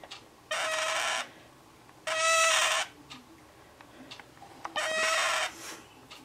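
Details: Caged male scarlet-chested parakeet with his female mate nearby, crying as his keeper tries to pick him up; three harsh, raspy cries of under a second each, spaced a second or more apart, against faint background hiss.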